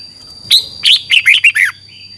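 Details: Red-whiskered bulbul from Thailand singing a 'phleng boen' (double) song style used to train birds for phrase counting: about six bright, warbled, quickly chained notes over roughly one second, with a faint steady high tone in the background.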